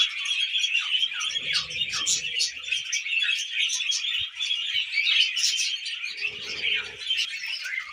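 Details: Tame budgies gathered over millet chatter constantly in high, rasping warbles and chirps, while low murmuring bursts sound twice in the background.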